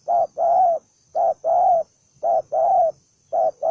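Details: One belligerent spotted dove repeats its low, hollow cooing: a clipped first note, then a longer sustained one, phrase after phrase about every 1.1 seconds, the last cut short. Faint constant hum behind.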